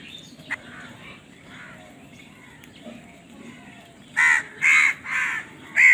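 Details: After several seconds of faint background calling, four loud, hoarse caws burst out in quick succession from crows fighting over food.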